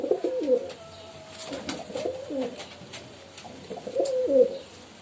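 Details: Pigeons cooing, short low phrases with quick rising-falling inflections repeated about three times, faint clicks in the background.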